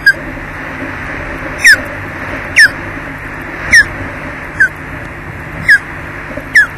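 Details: At a Loch Garten nest on 4 May 2012, late afternoon, an osprey comes back and drives its mate off the eggs, giving loud, thin whistled calls that drop in pitch, repeated roughly every second, seven times, over a low hum.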